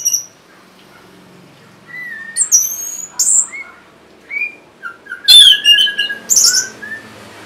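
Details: Orange-headed thrush song used for luring reluctant birds into song: varied scattered whistles, some rising and some dropping, building to a louder dense burst of high chirps and slurred notes near the end.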